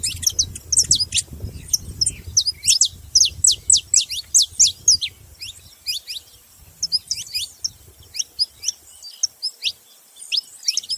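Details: Saffron finch calling: strong series of high, sharp down-slurred chirps, densest in the first half, then thinner scattered notes, over a faint low rumble early on.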